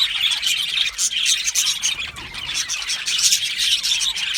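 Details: Budgerigar colony in an aviary, said to be happy, chattering steadily: rapid overlapping high chirps and short squawky notes with no pauses.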